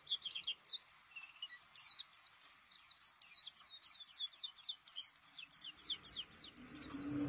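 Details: Caged white-eye, locally called pleci, singing actively: rapid, high, thin chirps and sweeping twitters in a steady run, ending with a low mechanical hum.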